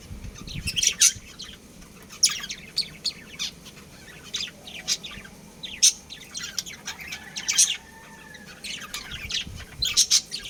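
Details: Chirping from a breeding pair of budgerigars: steady chatter of quick high twittering notes and squeaks, with sharp louder clicks every couple of seconds and a low steady hum underneath.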